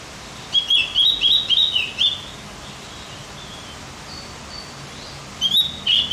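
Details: Javan grey-throated white-eye song used to excite other birds: a burst of rapid, high chirping notes for about two seconds, a quiet pause with faint softer notes, then a few more sharp chirps at the end.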